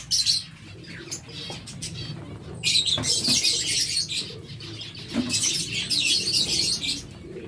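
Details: Several captive zebra finches in a busy chorus: dense bursts of high, nasal chattering notes in two main spells, with a steady low hum underneath.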